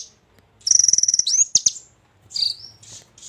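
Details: Golden-fronted leafbird in energetic song with jozz inserts: a high buzzy rattling trill, sharp clicks, then a thin downslurred whistle and short high notes separated by pauses.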